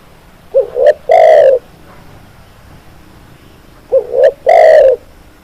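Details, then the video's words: Spotted dove cooing loudly at close range: a short two-part rising coo followed by a longer, drawn-out hoarse coo, the phrase repeated after a pause of about three seconds, over a quiet background. "SUARA BURUNG TEKUKUR, MASTERAN CEPAT GACOR"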